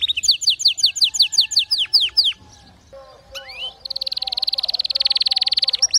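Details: Canary singing, used to teach weak canaries to sing: a quick series of falling whistled notes, a brief pause with a rising slur, then a long, very fast, buzzy high trill.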